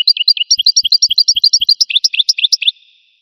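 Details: Goldfinch song in a steady, bouncing stream of clear chirps alternating high and low, turning into sharper, brighter notes near the end before stopping, with faint soft ticks underneath.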